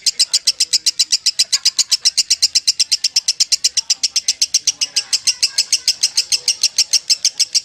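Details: Lovebird, the kusumo type, giving its long ngekek song: a steady, fast run of sharp, high chirping notes repeated about four times per second at an even pace throughout.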